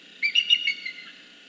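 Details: Female bald eagle at a northeast Florida nest, seen on a nest camera on 16 November 2014, calling to her mate to announce her first egg, laid at 12:52 PM. She gives a brief, high, thin chittering series of whistled notes that trail off.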